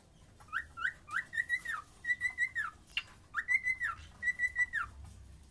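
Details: Cockatiel singing drawn-out whistled phrases, each opening with a rising slur, holding steady, then gliding down, given in repeated pairs with a brief click between.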